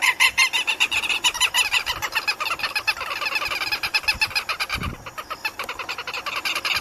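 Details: Southern lapwings (Vanellus chilensis), a South American species, on webcam give loud, harsh, rapidly repeated calls, several birds overlapping in a continuous grating chorus of strident notes.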